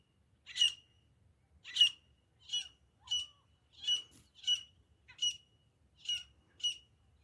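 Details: Grey francolin, locally called desi teeter, presented as a hunting sound: a series of harsh, squawking notes of a single bird repeated at uneven intervals of roughly one second, with a faint low rumble beneath.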